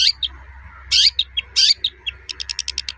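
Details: Long-tailed shrike giving its toet-toet call, used to provoke other shrikes into singing: sharp high chirps, some downslurred, in short groups, ending in a fast run of seven clipped ticks.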